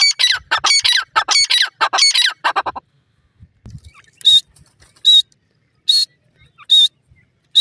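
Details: Wild francolins (teetar), with chicks fighting and a female calling: a burst of harsh, descending squawks for under three seconds, then silence, then short, clear, high whistled notes repeated roughly every 0.8 seconds.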